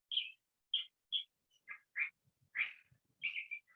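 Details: Male California thrasher (Toxostoma redivivum) singing; its song blends in imitations of other birds. A jumbled run of varied phrases: short chirps, slurred mid-pitched notes and rougher bursts, each different, about one every half second.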